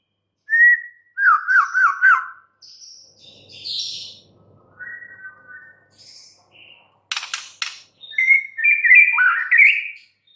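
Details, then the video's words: White-rumped shama song: a quick series of looping, repeated whistled notes, then scattered buzzy and whistled phrases, a sharp crackling burst, and a final rising warble. "murai batu BISU, STRES, MACET TOTAL bakalan NYAUT GACOR dan Kembali FIGHTER"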